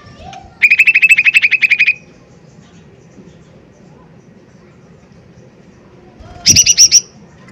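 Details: Lesser green leafbird in full loud song, used as a lure to stir rivals and make them sing: a fast rattling series of bright metallic notes lasting over a second, a pause, then a shorter, higher burst with a knock.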